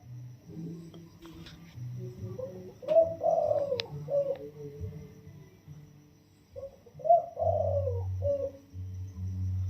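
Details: Caged spotted dove, wild-caught and 16 days in captivity, crowing in the soft single-note 'toss' style: two mellow, hollow cooing phrases several seconds apart, over a background of low humming and faint knocks.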